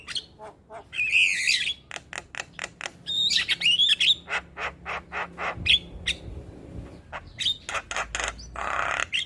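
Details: Energetic Javan myna gacor song: a fast run of clicks and ticks at nearly four per second, interrupted by scratchy whistled phrases and a final harsh rasp.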